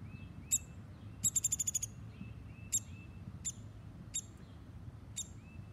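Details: Baby woodpecker fallen from a tree in Groton, Connecticut, waiting in a basket at the spot where it fell: sharp, high single notes, a fast rattle of about seven clicks, and soft rising whistles in the background.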